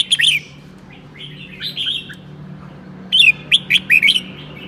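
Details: Seven-claw red-whiskered bulbul from Sơn La, Vietnam, giving its 'ché' song on a cold day; a loud chatter, softer warbled phrases, then a fast series of sharp twittering notes.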